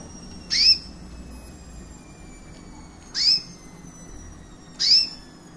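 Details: Caged recessive white female canary, about one year old, with red-factor eyes, chirping: three bright, downward-sweeping cheeps spaced roughly two seconds apart over a steady background hum.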